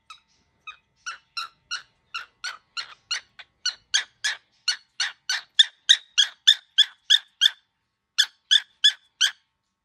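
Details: Very angry baby cockatiel making a long series of short, harsh, rasping pulses, about three per second, steady and getting louder toward the middle, with one brief pause near the end.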